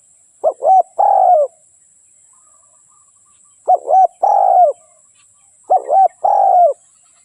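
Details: Spotted dove used as a decoy bird for trapping wild doves: three cooing phrases about every two and a half seconds, each two short hoarse notes followed by a longer drawn-out falling coo, with quiet pauses between.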